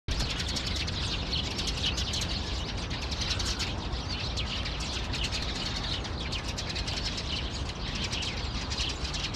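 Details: Eurasian tree sparrow alarm calls on 15 February 2020, around 4:20 pm: rapid, dense, repeated sharp chirps chattering without pause over a loud steady broadband rumble.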